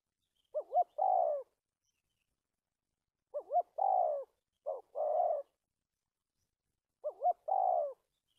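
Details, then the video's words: Trapping decoy spotted dove, dated 1/3/19, with a stuttering coo: a quick wavering double note, then a long, slightly falling coo. Four phrases are spaced by silences of one to two seconds. "Bẫy cu gáy bổi cà lăm 2 3 tiếng đầu"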